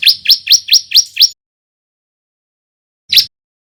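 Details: Male bar-winged prinia of the white-breasted crystal form, learning to sing, a lure for other birds: six quick upswept chirps, a long silence of almost two seconds, then one final chirp.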